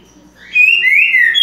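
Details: Green-winged saltator song: after a quiet start, a loud, rich whistled phrase of slurred notes, sliding down and then up, ending in a short higher note.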